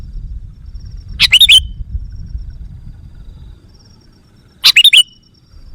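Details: Sooty-headed bulbul call used as a lure to agitate wild bulbuls: two short, bubbly, chattering phrases about three seconds apart, each a quick burst of three or four liquid notes ending in a slurred whistle, over low background rumble.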